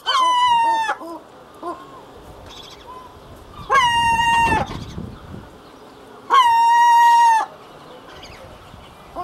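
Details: Herring gull in its breeding colony giving three long, drawn-out nasal calls, each about a second, steady in pitch with a slight drop at the start, spaced roughly three seconds apart, with fainter short calls from other gulls between.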